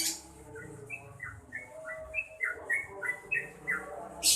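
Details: Yellow-vented bulbul in lively song: a series of short whistled notes repeated roughly every third of a second over steady low background noise. A brief high burst of noise comes at the end.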